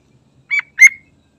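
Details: Sooty-headed bulbul in full song, played as a lure to make other trucukan sing: a pair of clear, slurred whistled notes about a third of a second apart, the second louder, in quiet surroundings.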